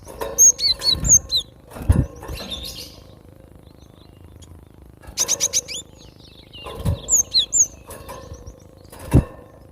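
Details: Cinereous tit from the wild giving bright high whistles in paired, falling notes, then a quick stuttered series of chirps; pauses of near silence between bursts, broken by dull knocks and rustling.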